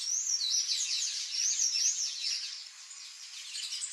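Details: Palm tanager song: rapid, squeaky high-pitched twittering notes with quick up-and-down slurs, running almost continuously for four seconds, loudest early and fading slightly midway.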